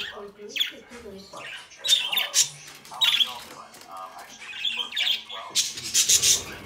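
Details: A captive brood of young budgerigars plays and interacts indoors, giving a run of bright, high chirps, squeaks and short warbled notes in uneven bursts, ending in a louder, scratchy squawking cluster.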